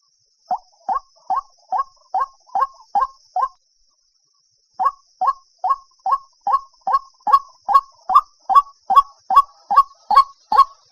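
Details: Steady series from a White-breasted waterhen, harsh clipped notes at roughly two per second, a pause of about a second, then the rhythm resumes and grows louder toward the end.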